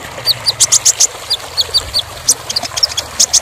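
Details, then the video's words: Kolibri ninja sunbird song from a songbird training track: quick series of sharp, high chirps and clicks, irregular at first, then tighter bursts of thin notes toward the end. "KONIN (Kolibri Ninja) Masteran Full Materi Mewah Isian Rapat Panjang"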